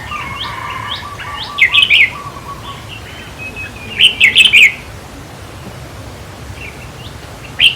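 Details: Red-whiskered bulbul song used in decoy trapping and played to excite caged birds: short warbled phrases of four or five bright, bouncing notes, with a few lone rising notes between and a faint lower repeated trill from another bird early on.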